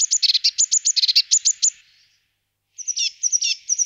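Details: Eurasian blue tit giving rapid, high, sharply down-slurred chirps in a fast chattering run. A short pause follows, then more high, thin notes and buzzy chirps.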